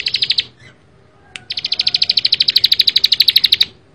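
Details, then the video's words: Bar-winged prinia singing actively in a tight, rapid style: a short trill, a pause, then a long run of high ringing notes repeated about five per second. "ciblek sawah gacor full bren rapat"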